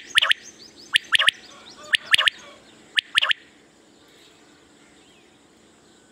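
Common quail giving its sharp, liquid three-note 'whit wit-wit' phrase, repeated about once a second, then falling quiet over a faint background hiss.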